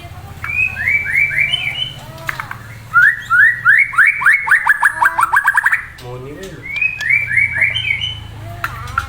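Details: Melodious murai song built of fast repeated note series: a quick group of sharp notes, a long accelerating run of slurred chips, then another short group.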